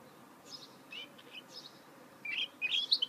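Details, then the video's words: Goldfinch mule heard faintly at first with scattered soft chirps, then closer, louder fast twittering notes near the end over a hissy background. "Chant mulet chardonneret تغريد هجين الحسون"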